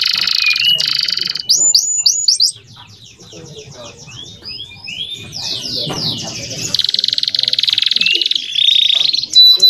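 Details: Male canary tutor song for juvenile canaries: bright high trills and looping sweeps, a quieter stretch of soft twittering with faint background noise, then a loud sustained buzzy trill and a held whistle.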